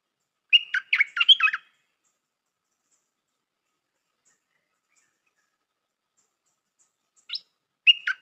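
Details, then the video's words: Stripe-throated bulbul, a new decoy bird with a well-styled song, gives one quick bubbly phrase of short warbled notes. Long silence follows, then a brief rising note and the start of another phrase. "เสียงนกดอกแตงEp.135 จ้าวขันทอง นกต่อใหม่เปิดดอกน่าฟัง สำนวนดี Suara pikat merbah lekir"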